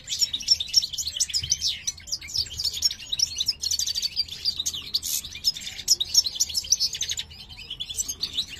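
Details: Male European goldfinch, subspecies parva, kept as a breeding pair in 2023, sings while the female inspects a new nest; loud, quick twittering phrases with sharp high notes and buzzy trills, repeated without a break.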